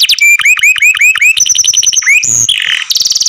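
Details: A small canary in care sings loud, quickly repeated two-part notes, then a high level trill and a brief harsh buzz, all in rapid succession.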